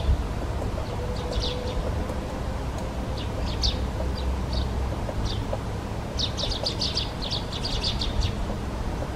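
Great spotted woodpecker giving short, sharp high notes, scattered at first and then bunched in quick clusters, over a steady low rumble of traffic or wind.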